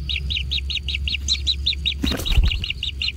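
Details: Kingfisher chicks being fed in a natural nest give evenly spaced high chirps, about five per second, briefly broken by a burst of rustling or flapping, over a low rumble.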